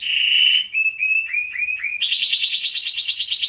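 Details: Atlantic canary song for training young birds: a buzzy tone, a series of short upward-sliding whistles, then a fast high rattling trill of repeated notes.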